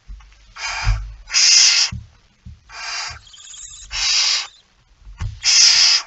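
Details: Barn owl nest at 05:28 on 19 September 2019, feeding under way: five rasping, hiss-like screeches in close succession, each under a second, alternating with faint scuffling and knocking from movement in the nest.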